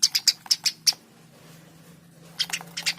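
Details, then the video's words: Eurasian tree sparrow (Passer montanus) giving quick runs of sharp, dry chirps, about six in a second, then a short pause and another burst; a faint low hum underneath. "Burung gereja gacor"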